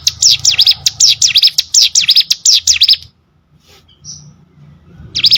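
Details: Prenjak gunung, the hill prinia, recorded as training song for competition birds: three seconds of rapid, high, dipping chirps in a rhythmic chain, a quiet gap with a faint note, then the song restarting.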